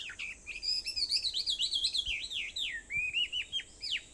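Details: Dawn birdsong on Aobayama, Sendai, Japan, at 4:30 a.m. on 21 July 2014; a bird delivers a fast, continuous warble of high looping whistled notes, about three per second, with a faint steady hiss behind.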